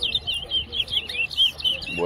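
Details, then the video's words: Towa towa singing in a whistling competition at Tuschen bird ground, West Essequibo: sweet high whistled notes in a fast wavering series, about four per second, ending as a man begins counting. "WESSEQUIBO TOWA TOWA BIRD WHISTLING COMPETITION AT TUSCHEN BIRD GROUND"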